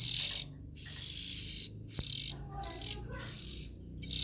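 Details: Young Oriental magpie-robins calling: harsh, hissing high-pitched bursts, each about half a second to a second long, five in just over four seconds with short silent gaps, and one sharp click midway.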